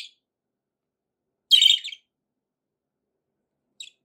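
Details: Budgie giving one short, scratchy high chirp burst in near silence, with faint clipped fragments at the start and end.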